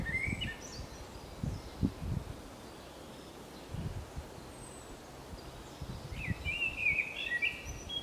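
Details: Common blackbird singing along the Camino de Santiago in Zamudio, 28 March 2019; two short mellow, warbling phrases ending in squeaky flourishes, one at the start and one near the end, separated by rustling and handling noise.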